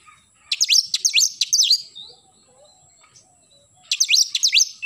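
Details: In the morning an oriental magpie-robin sings two bursts of rapid, loud downslurred whistles separated by a quiet gap with faint low chatter.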